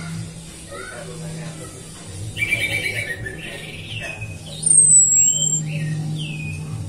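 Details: Orange-headed thrush; female whistle; female whistle used to lure other thrushes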